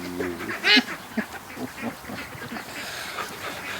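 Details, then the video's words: Ducks in a morning rush out of their pen toward the lake after being kept in an extra hour; one loud, harsh, harmonic quack stands out against a low nasal call and a noisy outdoor background. "Ducks At The Creek Morning Rush"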